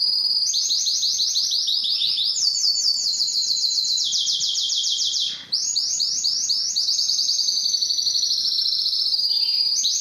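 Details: Canary singing a sequence of fast, high rolling trills, each tour shifting pitch slightly, with one short break midway, then more rapid repeated notes.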